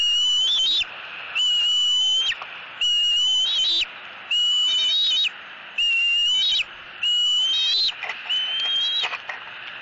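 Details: A young eagle at a southwest Florida nest, 4.3.18, screams for food while struggling with its mother over a fish. Steady, shrill, whistled squeals, some wavering or rising at the end, repeat roughly every one and a half seconds.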